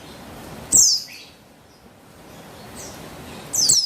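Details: Two loud, sharp chirps sweeping down in pitch from a female Javan white-eye (buxtoni), recorded 3/8/21 to stimulate males to sing, separated by nearly three seconds of quiet hiss.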